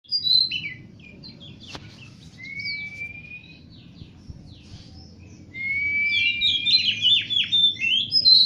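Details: Oriental magpie-robin singing sweetly: a loud opening note, then long clear whistles held at steady pitch, and a burst of varied, rapidly changing whistled and slurred notes in the last three seconds; faint low hum underneath.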